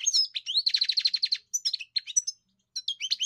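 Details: Song of a European goldfinch: a rapid rattling trill of repeated notes, then liquid twittering phrases and a short gap before more bright chirps; no background noise.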